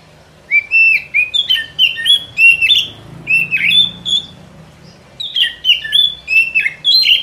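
Oriental magpie-robin singing loud, varied whistled phrases mixed with buzzy chatters, delivered in quick bursts with brief pauses between them.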